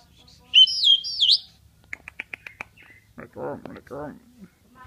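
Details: Asian pied starling, which imitates human voices, gives a looping high whistled phrase, then a rapid series of about six dry clicks, followed by two nasal, speech-like warbled sounds.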